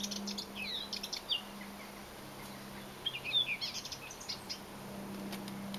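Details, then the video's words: On 21 April 2011, a Eurasian blackcap singing deep inside a backyard hedge gives two quick, chattering warbled phrases of high, varied notes about three seconds apart, over a low steady hum. "Blackcap singing"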